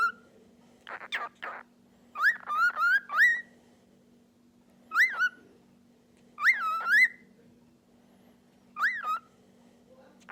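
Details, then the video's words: Talking and singing pet cockatiel whistling short up-and-down phrases, spaced several seconds apart, with a faint low hum throughout. "Talking & Singing Cocktail"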